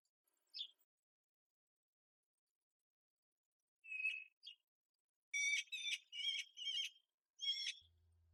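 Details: A female Eurasian magpie begs from her nest in a jasmine shrub on an April morning for the male to feed her. Her whining calls come as harsh, nasal squawks, less forceful than before: a few scattered ones, then a quick run of five rasping calls.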